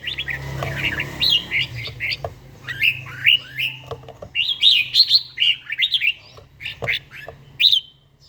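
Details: Morning song of a red-whiskered bulbul, an older bird with a wild-type voice, in daily singing practice; repeated fluting, slurred phrases rising and falling, delivered in bursts across the clip, with occasional sharp clicks.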